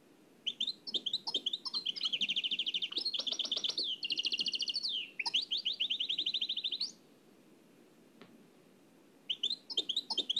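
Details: Oued El Alleug style nightingale song copied from an old cassette recording. Rapid strings of repeated high chirps and rattling trills run for about six seconds, pause, then resume with sharp clipped notes.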